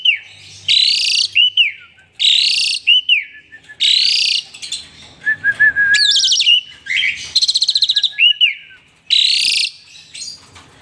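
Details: Asian pied starling singing at full intensity, puffing up and dancing with a bobbing head; repeated harsh buzzy blocks alternate with whistled up-slurs, a low drawn note and a rapid rattling series.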